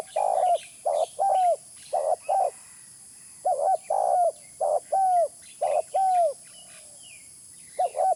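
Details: Spotted dove calling, a recording used as a lure: repeated phrases of a burry rolled note followed by a longer hollow coo that drops in pitch, about eight phrases with short gaps and faint chirps from other birds.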